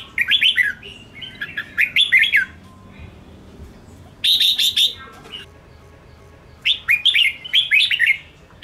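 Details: Red-whiskered bulbul singing to provoke rival birds gives jumbled whistled phrases, a harsher buzzing trill midway, then more rising and falling notes after a quiet spell.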